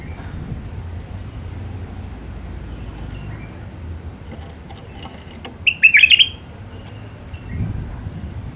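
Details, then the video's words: A wild white-eared bulbul from Iraq delivers one brief Alwazi-style phrase of quick, tumbling chirps, preceded by scattered faint clicks over steady low traffic-like rumble. "تغريد بلبل عراقي وحشي طور علوازي راقي"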